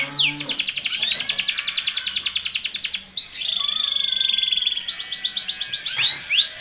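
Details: Male canary in song with a responding female, used by breeders to hasten mating: a long, rapid rolling trill lasting about three seconds, then a steady buzzy tone, and finally a faster pulsed trill with sharp chips.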